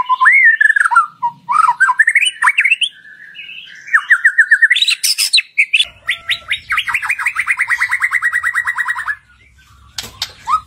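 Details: White-rumped shama, or murai batu, heard in a lure recording meant to make a shama sing loud and full. Rising whistles and varied warbled phrases lead into a long trill, with a faint low rumble beneath.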